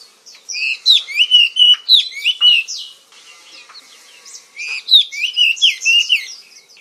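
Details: Oriental magpie-robin song, the Indonesian kacer, a popular black-and-white songbird: two bursts of rapid, sweet whistled and warbled notes with quick pitch slides, separated by a soft twittering pause.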